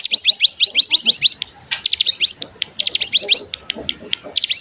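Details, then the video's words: Mountain tailorbird (cigun) lure for untrained birds: a fast run of high sliding notes, a short pause, then choppy bursts of rapid high notes over a thin constant tone and soft lower chatter. "Pancingan Cigun Bahan Agar Bunyi Langsung Ngebren"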